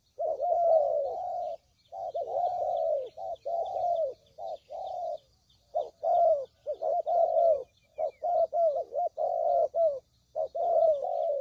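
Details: Spotted dove cooing used to lure birds into traps: long continuous stretches of low, soft coos, broken by short pauses, notes often bending downward, with faint high twittering behind them.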